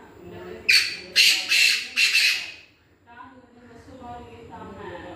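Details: Black francolin giving a harsh, grating call of four loud, buzzy notes in quick succession over about one and a half seconds, followed by a man speaking quietly.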